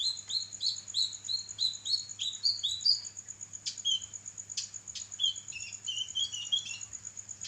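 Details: Kinoi song recorded to train songbirds: a fast series of rising chirps climbing slightly in pitch, then a few sharp clicks and a looser phrase of varied warbled notes.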